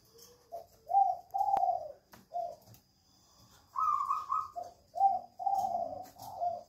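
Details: Spotted dove calling busily in a jungle fowl breeding cage, giving a run of mellow, low coos in short phrases. A pause is followed by a slightly higher burst of notes and more coos, over a faint steady hum.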